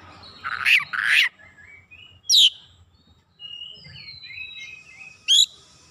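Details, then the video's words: Oriental magpie-robin singing a lure song meant to provoke other birds, full of varied fill-in phrases: two loud harsh bursts, then thin rising and falling whistles and a final sharp note, with low background hum. "PANCINGAN KACER LANGSUNG GREGET GACOR BONGKAR ISIAN"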